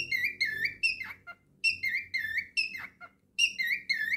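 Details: Male pet cockatiel singing indoors, a run of bright whistled phrases with strong harmonics, each note slightly rising then falling, repeated about every half second with brief pauses between groups.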